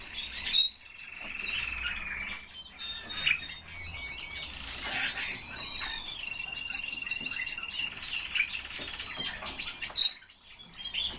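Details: Domestic common starling singing live on request: varied warbling phrases, drawn-out whistles sliding up and down, clicks and chirps, with brief pauses between bursts.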